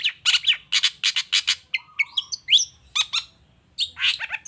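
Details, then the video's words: Long-tailed shrike lure song meant to make other shrikes call back: a hurried chattering series, a flat low whistle, then curving squeaky notes and a pause before harsher calls resume. "Suara Cendet Gacor Toet toet Efektif Anti Gagal Bikin Cendet Malas pun Langsung Nyaut Bunyi Seketika"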